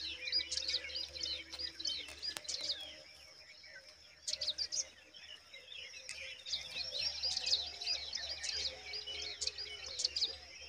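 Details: Young pipits calling from their nest: bursts of thin, high chirps and twittering notes from several chicks, pausing briefly and then resuming in busy overlapping runs, with a faint low hum underneath.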